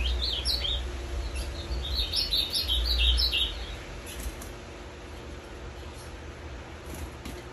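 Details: A captive ultramarine grosbeak, kept for five years, sings on 23 December 2020, a day after a three-day bus journey: a quick, sweet warbled phrase of clear high notes, then goes quiet, over a steady low rumble and faint voices.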